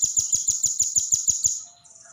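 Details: Velvet-fronted nuthatch delivering a fast series of about nine sharp, high, evenly spaced notes in a quick trill that fades at the end.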